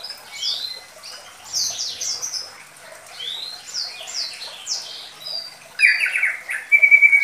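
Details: Lure song of a White-rumped Shama of the Medan type, Indonesia, for young shamas: high thin chirps and sweeping whistles, then a louder burst of buzzy trills and a sustained whistle.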